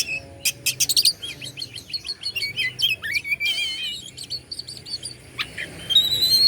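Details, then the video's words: Oriental magpie-robin (kacer) from Bandung, Indonesia, singing to provoke other birds: sharp clicks, then a long stream of varied high warbling and whistles, ending in a rising whistle. "KACER BANDUNG"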